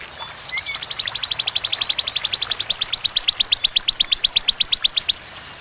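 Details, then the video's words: Bar-winged prinia singing a long 'tembakan' burst, clear and sharp: about forty high, clipped chips that start soft and quicken into a steady, evenly spaced rattle lasting nearly five seconds. "Tembakan ciblek ciwah cigun sadis pedas jernih berjeda"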